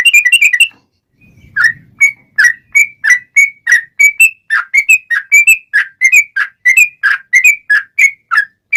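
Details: Lively sooty-headed bulbul in fighting mode singing its long rapid-fire song, used to provoke other bulbuls into song: a fast opening flurry, a pause with soft rustling, then a long string of clear whistled notes that step up and down.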